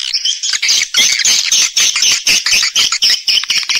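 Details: Loud swiftlet chatter played as a lure to bring the birds to nest. Fast, high, buzzy chirps repeat several times a second in a steady, overlapping stream.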